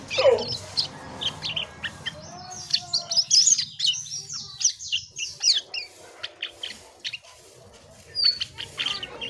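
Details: Asian pied starling, a gacor (constantly singing) bird, delivering a varied run of sharp chirps, squeaky whistles and harsh notes in quick bursts, with a faint low hum underneath.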